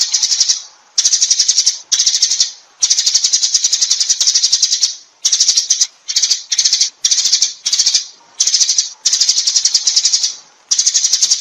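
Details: Repeated bouts of fast, high-pitched pulsed chatter from a sparrow calling its flock, bursts of varying length with brief gaps between them.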